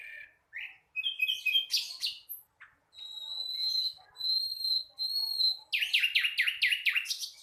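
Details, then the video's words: Juvenile flycatcher mixes short chirps with long steady pure whistles, then ends in a rapid string of sharply falling high notes. "Sikatan londo masih belajar bunyi"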